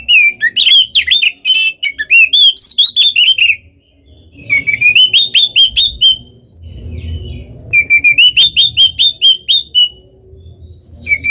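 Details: Rapid repeated whistles from an Oriental magpie-robin, used as a lure to stir up other birds; three fast strings of bright notes separated by brief gaps, with faint low rumble behind.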